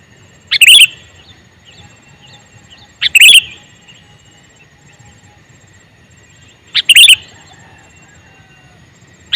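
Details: Repeated calls of a male sooty-headed bulbul. Three loud, short, bubbly chirped bursts are spaced two to three and a half seconds apart, and a fourth just begins at the end. Near silence lies between them.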